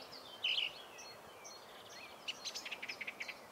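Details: Song Thrush singing across a wooded park; varied whistled notes, then a quick burst of short, sharp notes repeated in rapid succession at the end.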